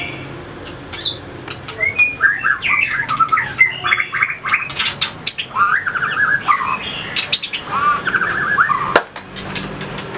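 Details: White-rumped shama in training for competitive fight singing, flicking its tail and hopping along its perch, delivers varied whistled phrases with quick upslurred and wavering notes between sharp clicking taps.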